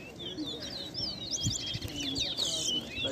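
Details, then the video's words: Towa towa singing in a bird singing competition at Ana Regina Park, Essequibo, Guyana, 2021: rapid high whistled warbles and twittering slurred notes, with a man counting notes aloud and crowd murmur behind. "TOWA TOWA BIRD COMPETITION IN ESSEQUIBO"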